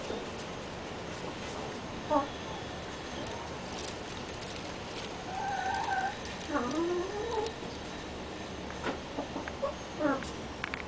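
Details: Backyard flock of chickens kept in a rear-yard pen, giving low, harmonic, arching clucks in scattered bursts, mostly in the second half, over steady background rumble and hiss.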